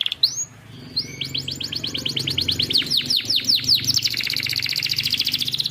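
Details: Canary singing: a rising whistle, then a fast run of repeated downward-sweeping notes, ending in a rapid trill, with a low hum underneath.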